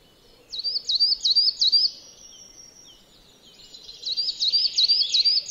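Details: Coal tit in a farmyard at Joroinen, Finland: a high two-part phrase repeated rapidly four times, a short pause, then the same bright, squeaky motif repeated again, over faint background hiss.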